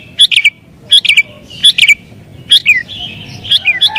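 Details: Excited sooty-headed bulbul song for luring wild bulbuls: short clusters of sharp chirps with downward slurs, a drawn note in between, loud and close.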